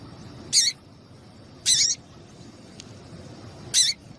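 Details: Female double-collared seedeater calling to heat up the male: three separate high, slightly buzzy chirps spaced one to two seconds apart, over constant faint hiss.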